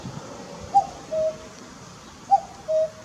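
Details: Common cuckoo perched on a utility pole by a garden in late May, late afternoon: two clear two-note cuck-oo calls, the first note higher and brief, the second lower and longer, about one and a half seconds apart.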